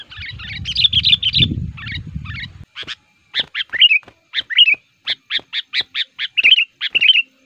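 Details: Aggressive sooty-headed bulbul lure bird meant to attract wild males in the forest: a jumbled chatter over rumbling noise, then a long series of crisp, evenly spaced chip notes mixed with short fluty phrases.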